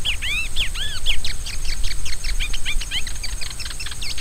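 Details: Rusty-collared seedeater song: clear whistled notes arching up and down in a quick run, then a faster series of short sharp repeated chips, with a low rumble and a steady high hiss behind.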